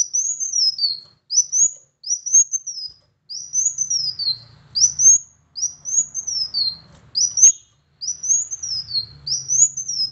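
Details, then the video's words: Van Hasselt's sunbird singing, used as a lure to make a silent bird sing: about nine short, very high arched whistles, rising then falling, at slightly uneven intervals over a faint low hum. "PANCINGAN ampuh Kolibri Wulung MALAS Bunyi agar GACOR"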